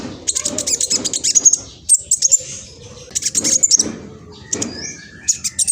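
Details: Mistletoebird, a speckled juvenile, in East Java, Indonesia, with a rapid, scratchy song used to provoke other birds into answering. Thin high twitters come in dense clusters separated by brief gaps, recorded by phone.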